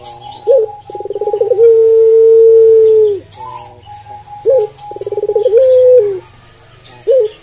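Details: Repeated coos from a Barbary dove called puter pelung: sharp short notes, fast throbbing rolls and long held tones that dip at the end, with a faint steady low hum behind.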